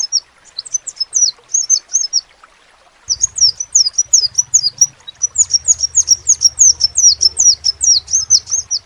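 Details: Crimson sunbird, locally called sepah raja, in full song: high, thin, slurred chirps in quick runs. A short burst, a pause of about half a second, then a long unbroken series. A low hum sits underneath.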